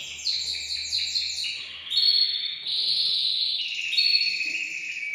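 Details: Male canary singing to stimulate a female for breeding, caged; fast falling note series followed by continuous warbled rolling trills.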